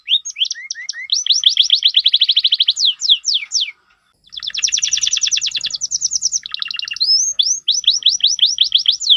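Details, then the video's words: Canary song used as a training tutor for other canaries: a continuous stream of rapid high whistled trills and rising sweeps, broken by a short pause near the middle, then resuming with fast rolling phrases and upward slurred notes. "Masteran burung kenari gacor"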